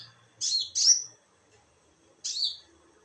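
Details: A konin bird calls at night with a rapid doublet of harsh, high downslurred notes, then one more after a brief pause.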